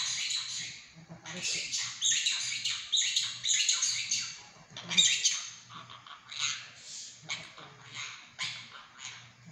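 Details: Pet monk parakeet at home, chattering in rapid, scratchy, voice-like bursts with squawky notes, louder in the first half and then in shorter separated phrases, over a low household hum.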